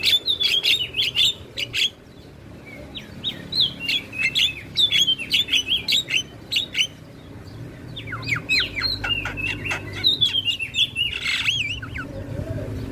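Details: Javan myna (jalak kebo) singing while nodding, recorded as training audio for other cage birds: dense chattering phrases of quick, sharp notes mixed with slurred whistles, broken by a short pause, over faint low hum.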